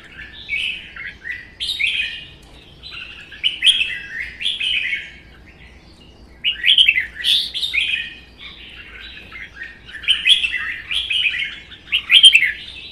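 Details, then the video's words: Caged red-whiskered bulbuls, a captive-bred bird and a wild-caught adult, singing against each other in a Vietnamese contest; groups of two or three warbled whistles are separated by brief silences, rising and falling in pitch. "CHÀO MÀO | Hót đấu kích ché CB Phi Mã2 & già rừng xòe cứng 1 mùa"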